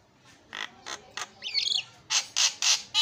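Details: Javan myna song played as a lure to start a silent myna singing: harsh, noisy squawks spaced about every quarter second, with a brief twisting whistled phrase in the middle.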